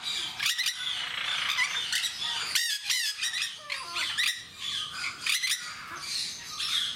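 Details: Jenday parakeets in Mysore Zoo squawking loudly and irregularly, harsh shrill screeches roughly every second or so, with one strong rasping cluster in the middle and constant background chatter.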